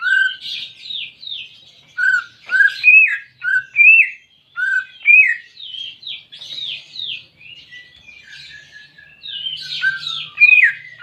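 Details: Greater green leafbird singing, used to stimulate a pet bird that has stopped singing: a lively run of varied whistled notes, many sharply rising or falling, delivered in quick bursts of two or three with brief gaps, steady throughout, no other sounds.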